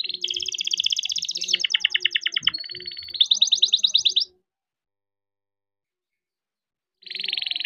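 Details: Rolling song of a young farm-bred canary, used as a stimulus for silent canaries: dense fast trills shifting pitch in blocks, a level buzzy stretch, then a brighter trill, a few seconds' pause and another trill starting.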